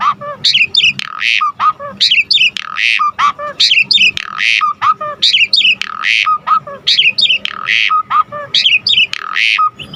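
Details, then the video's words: Asian pied starling in full, energetic song used as a lure and tutor for other birds: cycles of high chattering notes, harsh rasping squawks and short low whistles, repeated about every one and a half seconds. "Jalak Suren GACOR Full Isian Gampang Dan Mudah Masuk Untuk Pancingan Masteran Semua Burung"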